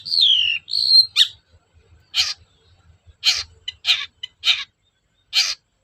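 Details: Long-tailed shrike lure song: two drawn-out whistles, the first falling, then five or six harsh, grating bursts spaced about half a second to a second apart.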